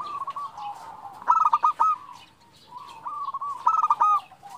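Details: Female zebra dove calling to a male, used as a lure call: two bursts of quick, staccato cooing notes running into a steadier trailing coo, separated by a quiet pause.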